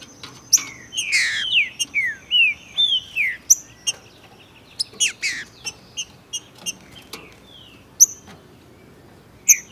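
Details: Trinca-ferro, a territorial Brazilian songbird, male with a female present, sings quick descending whistles for about three seconds, then a sparse series of sharp dry clicks spaced roughly half a second apart.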